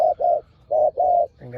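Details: Spotted dove, one of two fierce rivals at a decoy, giving paired soft hooting coos separated by a short gap. Another sound begins at the end.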